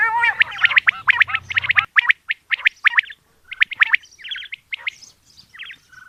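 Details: A female common quail calling in the morning gives quick, uneven runs of short, bright chirping notes, some rising and some dropping, with a low hum underneath at first.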